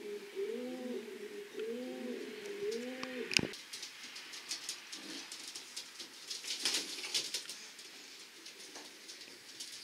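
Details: Racing pigeons in a loft, several low rolling coos in the first three seconds, then a loud knock and shuffling, rustling movement noises.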